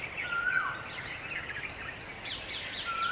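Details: On a hot day, red-vented bulbuls splash and drink at a puddle; one sustained whistled note drops away at its end, with a rapid high twittering chorus throughout and another whistle starting at the close.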